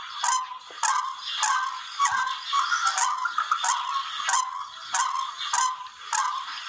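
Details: Barred Rail giving harsh, scratchy calls in rapid rhythmic bursts, roughly two per second, over a dense, noisy background, used as a sound for bird hunting.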